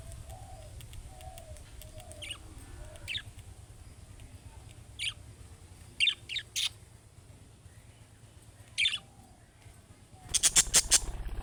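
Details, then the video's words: Calling-style song of young budgerigars, said to make other budgerigars respond: short, sharp chirps repeated every second or two, ending in a rapid burst of clicking chirps, over a faint low hum. "MUHABBET KUŞU SESİ Kuşunuz Bu sese Karşılık Verecek Kuş Sesi"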